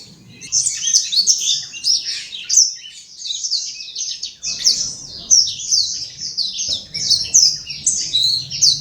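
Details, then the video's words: An imported black-throated canary kept caged in Kuta, Bali, sings actively: lively bursts of high, rapid chirping and twittering trills with short pauses between phrases, a low room hum underneath. "Burung blackthroat import gacor"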